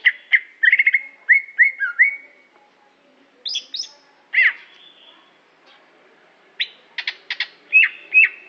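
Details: Song of a greater green leafbird from Aceh opening with a fast series of slurred whistles, then scattered high chirps and sharp notes after a short quiet spell.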